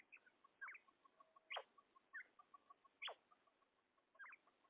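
A female common quail gives sharp, falling squeaky notes, some doubled, roughly every one to one and a half seconds, over a steady run of soft ticking pulses.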